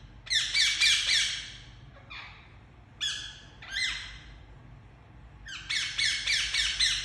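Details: Very loud chirping from a pet Indian ringneck parakeet, delivered as broken bursts of shrill, harmonic screeches, some short and clipped, others in quick strings, separated by brief quiet gaps.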